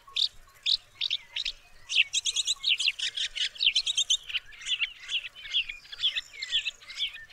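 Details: Woodchat shrike (Lanius senator) song: a rapid, varied chatter of scratchy notes, sharp upslurred whistles and short buzzy phrases, delivered in quick bursts with brief pauses, high-pitched and busy throughout.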